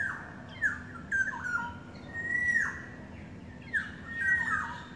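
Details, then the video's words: Yellowbird courting: clear whistled notes that slide steeply downward, given singly or in short pairs about once a second, over a low steady hum. "Beautiful sounds of yellowbird courting"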